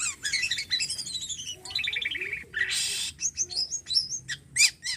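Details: Javan pied starling in full song: descending series of stacked buzzy whistles, a loud harsh rasp, then rapid scattered high chips and short whistled notes.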